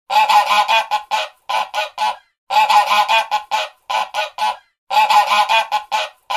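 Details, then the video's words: A goose honks in harsh, nasal bursts, three rapid volleys of short repeated honks spaced about two seconds apart, with nothing else heard. "Sound Of A Goose"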